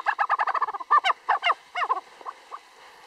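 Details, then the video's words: A snow chicken (snowcock) at Gokyo Ri in Sagarmatha National Park, Nepal, gives a fast run of about a dozen nasal, clucking notes near one pitch. It then slows into a few spaced, drawn-out notes that fade away. "The sound of snow chicken"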